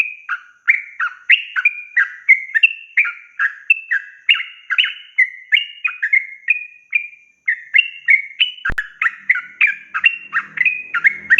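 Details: Yellow-vented bulbul in long rapid-fire 'ropel panjang' singing, used as a tutor for raw, young birds: a continuous stream of bubbly, slurred whistled notes, about three per second, with one sharp click near the end and faint low rumble.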